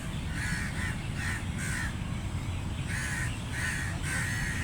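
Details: Loud crow caws in two bursts: a quick series of harsh calls, a pause of about a second, then several more caws, all above a continuous low rumble.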